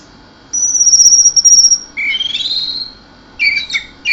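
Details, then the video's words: Orange-headed thrush singing in the excited, hissing 'mabuk teler keserr' style: a long steady high whistle, then a rising buzzy phrase and short bursts of sharp notes. "anis merah dewa mabuk teler keserr"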